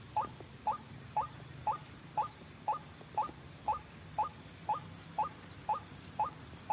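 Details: Trapping lure of a white-breasted waterhen: a clipped, upward-sweeping note given at an even pace of roughly two per second, with faint low rumble beneath.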